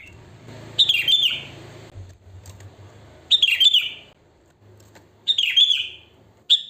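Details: Natural sooty-headed bulbul song from the wild, no learned fill: three fluty, gurgling phrases at roughly two-second intervals and the start of a fourth, with faint low hum behind.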